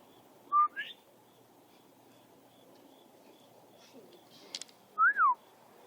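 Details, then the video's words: Unidentified wild bird calling at about 6 in the morning, recorded while waiting for a school bus: a short flat whistle slurring upward, a pause of several seconds, then a clear down-slurred whistled note, over a quiet hiss. "Chirping Bird at 6 in the morning"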